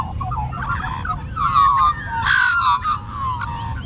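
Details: Australian magpies, a flock in the bayside suburb of Lota, Brisbane, carolling: warbled, gliding notes near the middle register with a louder burst of rich, harmonic fluting around the halfway point, over low background rumble.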